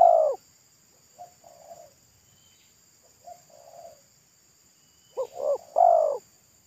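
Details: Thick-voiced wild spotted dove in pesom style along a roadside: a loud coo ends, two softer two-part coos follow, then a loud phrase of two quick notes and a long falling coo.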